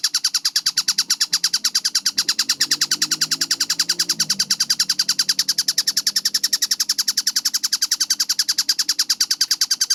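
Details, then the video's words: Tengkek buto kingfisher, energetic and clear-voiced, delivering a long, steady stream of quick, sharp, downward-slurred notes roughly ten each second. A soft low murmur runs underneath. "MASTERAN TENGKEK BUTO GACOR SUARA JERNIH SPEED RAPAT"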